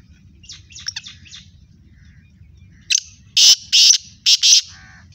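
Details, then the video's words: Black francolin, known locally as kala teetar, giving a series of loud harsh bursts after a few faint chirps; four strong rasping notes in quick succession with low background rumble. "kala teetar ki awaz"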